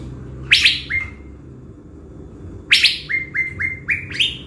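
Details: Blue-winged leafbird lure bird from Bình Thuận, caged and prepared for use in the forest, gives sharp buzzy bursts followed by quick falling whistled notes repeated in a lively series, with a gap of quiet between phrases.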